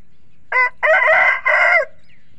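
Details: Young rooster on a poultry farm, among young chickens playing in the soil, gives a short crow: a brief opening note, then a long harmonic strained phrase, a slight dip, and a final drawn-out section.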